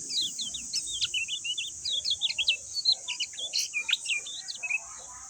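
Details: Lemon-bellied white-eye giving a lively, continuous song of rapid high chirps, rising and falling slurred notes packed closely together, over a constant high-pitched insect-like drone.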